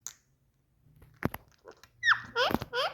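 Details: Pet Indian parrot indoors in a small room, said to love talking; after a near-silent start come two short clicks, then a run of loud, harmonic, downward-sliding chattering notes in the last second.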